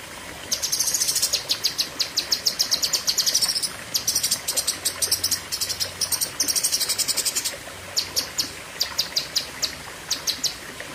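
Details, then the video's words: Long 'pedes panjang' outburst from a cucak kinoi. Extended volleys of shrill, rapid-fire pulses, then shorter clusters of sharp notes, over a faint low drone. "Tembakan Ngeri Cucak Kinoi (Pedes Panjang)"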